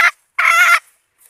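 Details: Short clip of a decoy red junglefowl hen, luring males: one brief clipped cluck followed by a louder harsh drawn note of under half a second.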